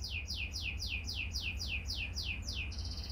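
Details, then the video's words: House-kept Oriental magpie-robin in gacor lure song: about ten identical downslurred whistled notes repeated roughly three times a second, ending in a higher buzzy trill, heard faintly over a steady low rumble. "Kacer Rumahan Pun Bisa Ikut Gacor! Pancingan Kacer Gacor Agar Bongkar Isian Ngobra"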